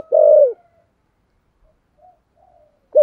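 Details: Spotted dove in 'thổ sấm' voice, 'thúc gù' cooing: one long, loud, slightly falling coo, a quiet gap with faint distant bird notes, then the start of another coo.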